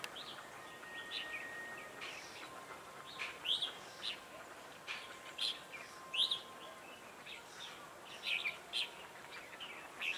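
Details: Red-whiskered bulbul singing as a trapping decoy to draw in wild birds: loud, sharp whistled phrases repeated every second or two, with quieter chirps between them and constant background hiss.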